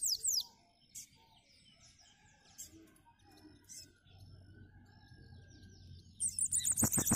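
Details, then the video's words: Bananaquit singing in the "cangaceiro" style: an opening high sibilant burst, then faint chirps over a quiet rumble, ending in a loud, very high, fast buzzy trill with strong low thuds beneath. "Sibite CANGACEIRO Cantando Muito"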